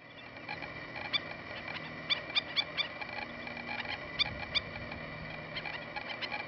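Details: A feeding Black-necked Stilt (Himantopus mexicanus) at Dan "Click" Ponds in Viera, Florida gives sharp, yappy single notes, often in quick pairs or triplets, spaced irregularly over a steady background hum.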